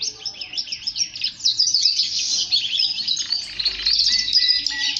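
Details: Male canary song to encourage males to sing: jumbled, quick warbling and chattering notes that run together, followed by a smoother stretch of high rolls.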